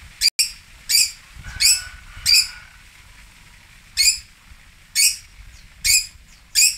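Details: Long-tailed shrike (toet) from Singosari uttering loud grating rasps, each short and broad, delivered in loose clusters with pauses of about a second between them.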